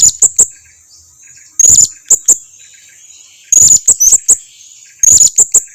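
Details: Blue-crowned hanging parrot calling as a lure for other birds to reply: shrill very high chirps in tight clusters, a few louder buzzy squeaks mixed in, bursts roughly every two seconds.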